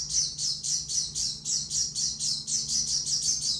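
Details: Shrill, rhythmic chirping by an Oriental white-eye, each note short and very high, repeated about three to four times a second.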